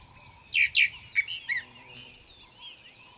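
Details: Golden-tailed Woodpecker in Kruger National Park, South Africa, gives a quick burst of about seven sharp, down-slurred notes in under two seconds, with thin high chips from another bird behind.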